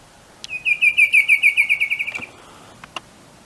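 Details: Bicolored antvireo of montane evergreen forest understory in Colombia, calling: a quick run of about fourteen high, clear notes that speed up slightly and fade within two seconds, with a few sharp clicks nearby.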